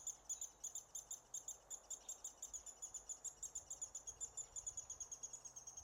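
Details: American three-toed woodpecker (Picoides dorsalis) nestlings being fed near Willow, Alaska, in June 2016 give a steady, very high, thin begging chitter of about five or six quick notes per second, with faint background hiss.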